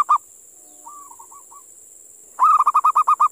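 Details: Call of a wild local zebra dove from a sacred tomb area, said to sound eerie: a soft, faint, rolling cooed phrase, then a loud burst of rapid, evenly spaced staccato notes against a constant high hiss.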